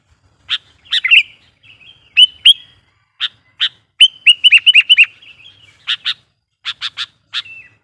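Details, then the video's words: Sooty-headed bulbul lure singer calling wild bulbuls, with sharp single chips, then a fast run of about six bubbling falling notes, followed by more spaced chips and a short trailing phrase. "suara burung KUTILANG GACOR GARUDA bikin emosi kutilang liar"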